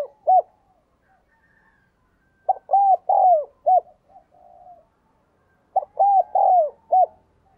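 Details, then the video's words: Decoy spotted dove calling to draw in other doves: low hollow coos near 600–800, grouped in bursts of three or four notes about every three seconds, with fainter softer coos between bursts. "Chim cu gáy - Chim Cu Mồi Thúc và Gáy Gọi Bổi"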